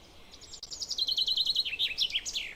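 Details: Common chaffinch (Fringilla coelebs) song: a bright descending series of rapid repeated notes, speeding into a trill and ending in a flourish, high and clear over faint background hiss.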